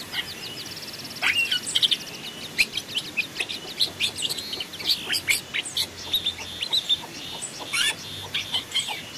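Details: Long-tailed shrike singing in forest, used as a decoy and master: an opening fast rattling trill, then a rapid stream of sharp chirps, clicks and short whistles.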